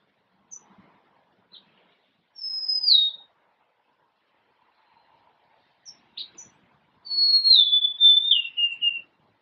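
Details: Two sweet, descending whistled phrases from a golden-crowned sparrow, the second longer with three falling steps, separated by a pause with a few faint chips.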